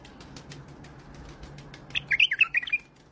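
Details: An Iraqi white-eared bulbul gives one quick phrase of about seven bright, bubbly notes jumping up and down in pitch, after a quiet stretch of soft background hiss.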